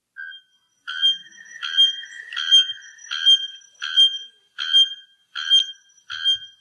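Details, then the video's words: Bare-throated Bellbird, called araponga or blacksmith bird, giving eight loud, metallic, anvil-like clanks about every three-quarters of a second, ringing and hard-edged, with nothing else heard. "apparently there's different kinds of bellbirds but they all make this ridiculous noise I'm going to play that for you again"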